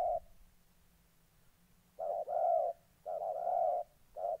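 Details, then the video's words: Moulting decoy spotted dove, caged, answering fight-eager wild doves in Gia Lai, Vietnam, August 2020; loud, smooth, resonant coo phrases of two or three joined notes, repeated about once a second after a brief pause. "Cu gáy"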